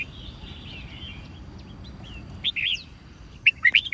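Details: Red-whiskered bulbul with white cheeks giving fighting song for song training: faint distant notes at first, then two short bursts of loud, bright whistled chirps near the end.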